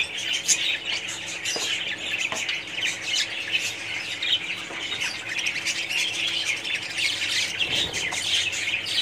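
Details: Budgerigar colony heard as a constant din of many shrill chirps and squawks, dense and overlapping throughout, with a few faint knocks in the background.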